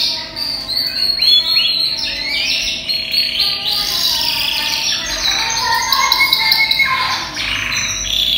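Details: European-imported yellow canary, roughly ten months old and in breeding condition, delivers a continuous varied song of rising sweeps, quick chirps and warbled trills that shift pitch often, with no pauses between phrases.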